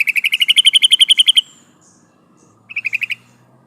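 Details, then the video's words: Female yellow-vented bulbul calling to the male, a lure sound: a fast run of about fifteen sharp chattering notes for over a second, then a shorter burst of five after a pause. "suara burung trucukan betina memanggil jantan"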